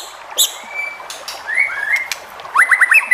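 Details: White-rumped shama song to provoke other shamas into singing: long steady whistles, upward slides, and a closing rapid trill of rising notes.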